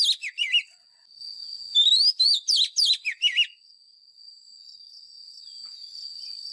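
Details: Caged lure white-rumped shama, used to train birds to sing, gives brisk phrases of sweeping, warbled whistles, then falls silent while a steady high thin whine continues.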